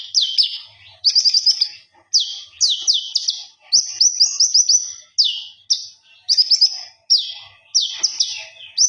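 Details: Common iora (konin) singing vigorously to the point of ngobra, used as a master song: bright whistled notes sweeping down then up, grouped in quick bursts of two to five about once a second, with faint low chatter beneath.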